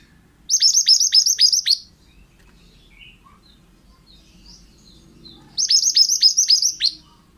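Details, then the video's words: Training recording of a lively pied bushchat: two matching song phrases five seconds apart, each a fast run of six or seven shrill dropping whistles, with quiet chirps between. "BURUNG MANTENAN GACOR--MASTERAN AMPUH"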